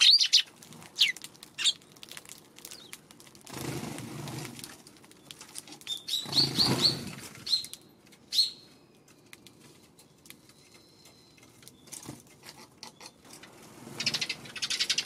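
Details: Eurasian tree sparrows on a March 16 afternoon at a feeding spot, wary of a Godzilla figure placed nearby. Short high chirps come in scattered bursts, mixed with several loud flurries of wing flapping and low rumbling noise.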